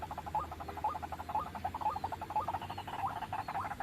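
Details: Trapping lure of a White-breasted waterhen: steady, rhythmic croaking notes with rising hooked ends, repeated roughly twice per second.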